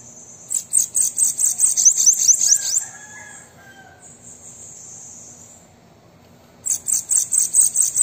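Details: Bananaquit song, played to prompt a captive bird to sing: two bursts of very high, buzzy, rapidly repeated notes, about five per second, separated by a thin sustained hiss and faint lower tones.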